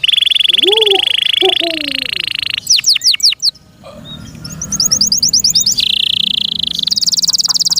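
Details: Kept canary delivering a sustained buzzy trill with lower slurred whistles, a few sweeping chirps, a quiet pause, then rapid high chirps and another long buzzing trill.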